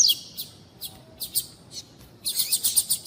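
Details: High, clipped chirps from a female coleiro tui tui (double-collared seedeater) calling to warm a cold male, spaced about every half second before a dense, loud rapid burst at the end.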